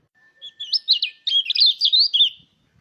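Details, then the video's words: Mountain white-eye singing, played to stimulate other white-eyes to sing: a fast, high, twittering string of sweet looping whistles and trills lasting under three seconds. "pancingan suara pleci agar buka paruh"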